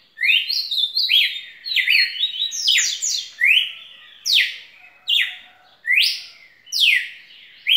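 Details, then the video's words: Red-cowled cardinal delivering loud, continuous song: rapid clustered whistles at first, then regular bold up-and-down phrases about every second, ringing and clear. "Galo de campina muito canto muita fibra"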